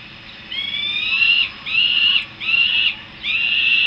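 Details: Peregrine falcon young returning to the nest, Harrisburg, USA: four harsh, whining calls, the first starting thin and rising, the rest fuller and steady, spaced about half a second apart over a quiet hum.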